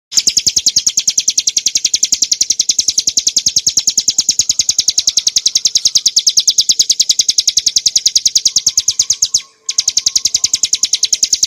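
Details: Bar-winged prinia (Prinia familiaris montana) song for tutoring and provoking cage birds, a clear 'ngebren nembak' style: a long, unbroken trill of sharp, high notes, about three per second, briefly cut near the end.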